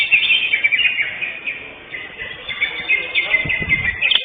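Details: A greater green leafbird, first-place winner at a songbird competition, pours out an unbroken, fast, high chattering warble with varied twittering phrases; faint background bustle and a few clicks.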